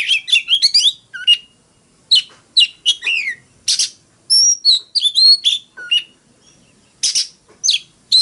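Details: Fighting song of an Oriental magpie-robin, with clusters of rapid twittering notes, sweet rising and falling whistles and scratchy chirps, broken by short pauses, over a quiet background.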